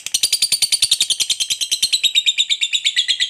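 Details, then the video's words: Fighter lovebird's ngekek, a long trill used to rile other lovebirds: fast, even pulses of shrill, raspy chatter repeated throughout without a pause. "Lovebird Fighter Rajin Ngetik Lanjut Ngekek Panjang, MUDAH Pancing EMOSI Lovebird"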